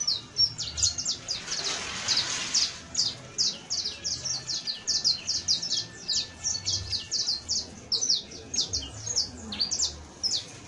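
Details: Juvenile saffron finch (Sicalis flaveola), known locally as canario basto, singing a fast, high run of sharp chirps and short downslurred notes, repeated more than twice a second with brief pauses, over faint low background noise.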